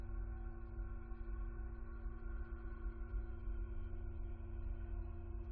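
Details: Slow droning ambient music with sustained, layered tones and no animal sounds.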